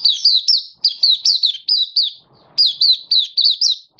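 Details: Happy 'buka' singing of an oriental white-eye (mata puteh) as a song display, recorded 24 February 2023; quick series of loud, bright, down-slurred whistles in three phrases of about five notes, separated by short silences.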